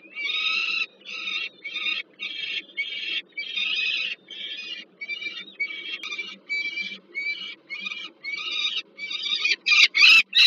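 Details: Peregrine falcon at the Żerań heat plant nest in Warsaw, Poland, 15 August 2022, as food arrives for a bird. A rapid, insistent run of short rasping cries, about three per second, grows louder and more frantic toward the end.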